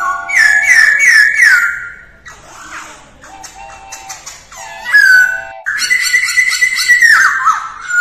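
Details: Female masked laughingthrush in voice training, recorded in the early morning: loud, harmonic whistled notes sliding downward in quick repeated series, with a break of fainter, varied chatter before the slurred phrases return.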